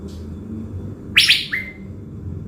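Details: Blue-winged leafbird held as a decoy bird in Bình Thuận, Vietnam. It makes a single rasping, broadband chatter followed by a clean, level whistle that fades out.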